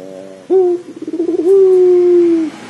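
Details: One full pelung dove coo phrase, played to make a dove start calling: abrupt short note, a quick pulsing stutter building up, then a long, even, low hum held for about a second before stopping cleanly.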